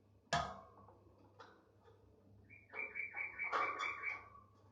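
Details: A tame Thick-billed White-eye (Heleia crassirostris) sings a brief run of quick, chattering notes with a steady higher whistle, after two sharp knocks in a small room.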